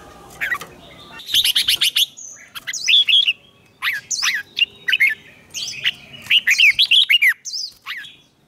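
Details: Competitive singing of a Red-whiskered bulbul, meant for training: dense run of short, lively warbled phrases, sharp upslurred notes and quick rolling loops, repeated almost without pause over several seconds.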